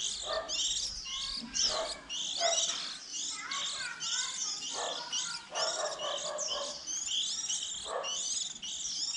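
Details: Young white-eyes early in the season, around fledging time, recorded for use as a trapping lure: dense overlapping high twittering chirps and short slurred notes run continuously, with a few lower murmuring sounds beneath.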